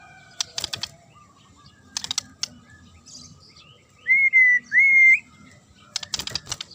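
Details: Murai singing to provoke a response: clusters of dry clicks, then two long level whistles, then more clicking.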